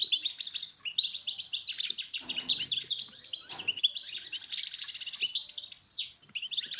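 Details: Moroccan recording of a European goldfinch singing, meant to stimulate silent males: unbroken high twittering with tinkling notes, nasal buzzes and quick trills, ending on a sweeping downward note.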